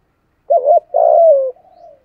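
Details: Giọng thổ voice of a spotted dove calling in the morning to lure wild doves: a brief bouncing two-note hoot, then a drawn-out coo sliding downward, trailing into a soft, quieter tail. The setting is clean and quiet.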